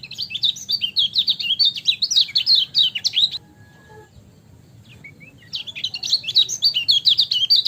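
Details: Lemon-bellied white-eye singing a rapid, chattering run of high twittering notes that swing up and down, pausing for about two seconds before a second lively burst.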